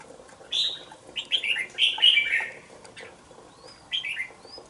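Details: Red-whiskered bulbul, a young caged bird of two months, sings a run of quick, bubbly, down-slurred notes, pauses, then gives a shorter similar phrase.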